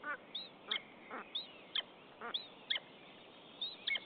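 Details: Common buzzard pair talking at their nest in Estonia, 10 April 2015, on a mate visit without prey. High clipped notes come in quick succession, mixed with lower raspy murmurs.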